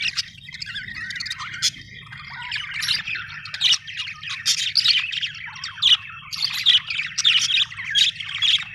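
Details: Budgerigars, Australian birds, chirping; a dense, continuous chatter of many high warbling, twittering and squeaky notes from several birds at once over a steady low hum.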